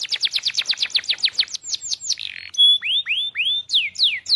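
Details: Belgian canary training song: a fast run of descending notes, a brief blurred buzz, then rising upswept whistles alternating with falling sweeps.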